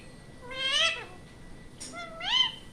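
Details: Ringneck parrot voicing two clear, rich calls that rise and then fall, with a short scratchy burst between them in a quiet room.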